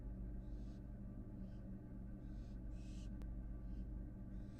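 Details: American barn owl fledgling at a Florida nest box during a return visit after fledging: soft then louder breathy hisses at irregular spacing, one sharp click, and a steady low hum.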